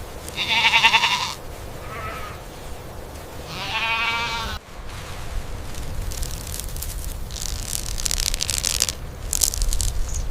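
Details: Indian peafowl calling twice, a short bleating wail and then a longer wavering cry, followed by several seconds of rushing, hissing background noise.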